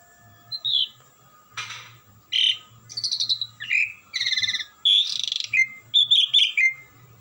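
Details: Asian pied starling, a kept 'gacoran' bird, singing melodiously without stopping: a rapid run of varied phrases mixing harsh buzzy bursts, chattering rattles and clear whistled notes, some dropping in pitch, over a faint low hum.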